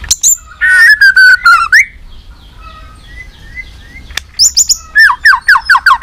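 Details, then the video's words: White-rumped shama, three seasons old, warming up into fighting song: a quick run of fluty slurred notes, a quiet pause with soft thin whistles, then renewed bursts of high chips and bouncy looping phrases. "chòe lửa nết đập xoay chớm lửa hót đấu"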